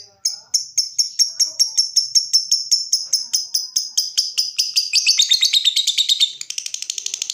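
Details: Lovebird song running from ngetik into ngekek, intended to prompt other lovebirds to trill: evenly spaced sharp high ticks, roughly three a second, speeding up into a rich warbling trill and ending in a very rapid buzz.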